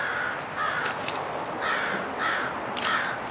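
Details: Morning crows around a house, reported as frequent lately; harsh caws come in uneven pairs and groups across the clip, with sharp clicking and snapping sounds from nearby cutting or handling of branches.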